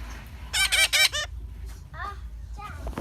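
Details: Young hand-raised parrot, hungry, giving a quick series of three or four harsh, rasping calls with stacked harmonics, followed by softer downslurred squeaks, over a steady low hum.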